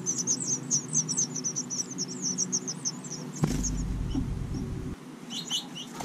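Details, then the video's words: Young house finches in a porch nest in Watertown, New York, call as the female and male feed them. A rapid run of high, thin chirps fills the first half, then a loud rustle and a few scattered chirps follow. "5 fuzzy little house finches being fed"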